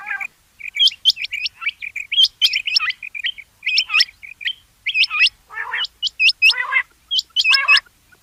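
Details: Rain quail calls in dense series of high, hooked, whistled double notes, almost continuous. A few lower harsh rasping bursts break in toward the end.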